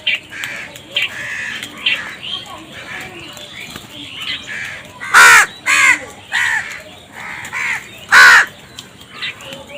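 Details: Crows calling outdoors, possibly squabbling over food: harsh, ragged caws in uneven bursts, two louder strident caws standing out near the middle and end, with softer overlapping calls and faint background chatter.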